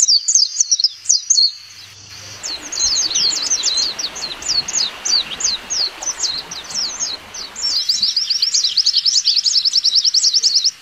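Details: A wild white-eye sings a fast, high, thin twitter of sweeping chirps ending in a rapid buzzy trill; no other sounds stand out.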